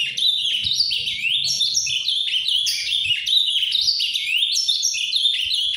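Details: Caged azulão (Ultramarine grosbeak) singing nonstop in the canto paraná 'farrapo' style: a busy, warbled stream of sharp rising and falling high notes, steady and loud, with slight low-pitched room noise.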